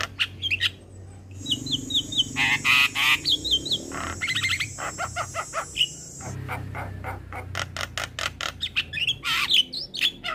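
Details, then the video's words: Male Javan myna, a vigorous caller summoning companions and used as a lure for catching mynas: scattered harsh chattering and rasping notes with short whistled phrases, a steady high hiss in the middle section. "Burung Jalak Kebo Jantan Gacor Memanggil Teman Cocok Untuk pancingan jalak Pikatan"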